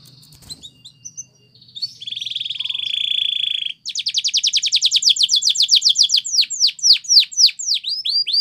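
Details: Belgian canary performing training song, opening with faint chips, then a sustained even rolling trill, followed by a very fast chattering series of clear notes that slows into loud, ringing downward-sweeping whistles, each about half a second apart.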